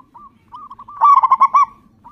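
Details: Local zebra dove singing loudly to lure others into song; one burst of six rapid, rolling coos stands out above soft, steady whistled notes in the background.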